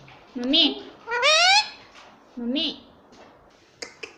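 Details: A pet Indian ringneck parrot (rose-ringed parakeet) says "mummy" in three nasal, speech-like bursts, the middle one long and rising. Two sharp clicks follow.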